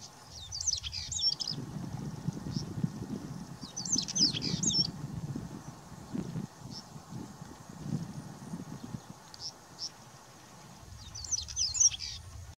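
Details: A male white-tailed stonechat in India sings while fanning its tail, giving three short, high, scratchy warbled phrases several seconds apart, with faint thin notes between, over a steady low rumble.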